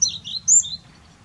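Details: High-pitched, squeaky calls from a black-necked grebe: a quick series of thin whistled notes wavering up and down, with one louder, higher note in the middle, then quiet with a soft low hum.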